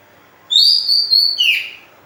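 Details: Oriental magpie-robin song, used to lure and stimulate other birds: a loud, clear whistled note held level for about a second, then a slurred downward whistle, over a quiet background.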